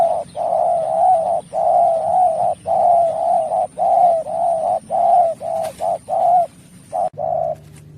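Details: Spotted dove call used as a lure for trapping, a long run of steady mid-pitched coos, about one per second, each a smooth level hum, with a faint high hiss and low background hum.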